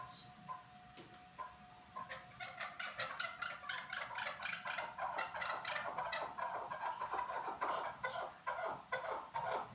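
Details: Chukar partridge at Norak, Tajikistan: quiet start, then a rapid rhythmic series of harsh clucking 'chuk' notes building into a loud, steady chattering run of about two notes per second.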